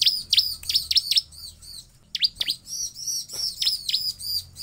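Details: Bar-winged prinia (ciblek) giving high, sharp down-slurred chirps in quick bursts of four or five, a short pause, then more ringing chips; the recording is used as a lure to prompt other prinias to sing.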